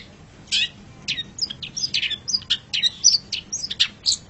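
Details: Long-tailed shrike master recording for training caged songbirds: a varied, jumbled warble of scratchy notes, short whistles and quick slurred chirps, delivered almost continuously.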